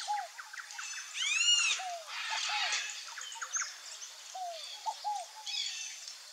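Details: Scaled dove, locally called fogo-apagou, giving low three-note cooing phrases, a falling first note then two short ones, several times over the clip, partly masked by loud, busy high chirping and trills from other birds.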